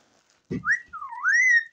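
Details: Pet ringneck parrot indoors giving a clear whistled phrase that rises, dips, then climbs and holds steady; a brief low thump precedes it, with a woman speaking Hindi softly around it.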